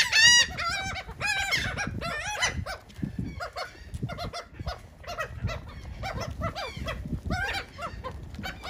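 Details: Several seagulls squabble over cake at Atlantic City, New Jersey; a loud high yelp opens, followed by many shorter overlapping mewing and squealing calls at a lower level.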